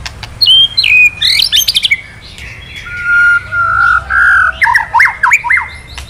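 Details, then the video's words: White-rumped shama male, stirred to emotion by kretekan calls, delivers loud varied song with sharp chips, a few long flat whistles, and closing rapid zigzag whistled notes. "Suara KRETEKAN BURUNG MURAI BANGKITKAN EMOSI MURAI JANTAN KELUARKAN ISIAN! MURAI DIAM JADI NYAUT"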